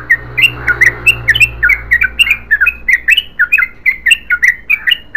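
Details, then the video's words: Long continuous song of a yellow-vented bulbul: a rapid series of sharp, warbling chirps, two to three each second, over a low background hum. "BURUNG TRUCUKAN GACOR ROPEL PANJANG"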